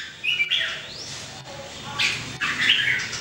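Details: Red-whiskered Bulbuls, three caged birds practising song in 2018: a few short, bright whistled notes and an upward slur, partly masked by background noise.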